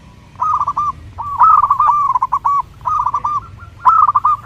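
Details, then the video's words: Zebra dove (perkutut) song for training and luring birds: four or five phrases of rapid, rolling coo notes with brief gaps between them. "SUARA Mp3 Burung Perkutut terbaru melatih, memikat perkutut"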